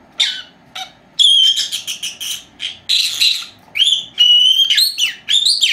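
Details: Two four-month-old female lovebirds at home, which repeat words and whistle; a busy mix of chirps and long, steady whistled notes, some rising at the end, in quick succession.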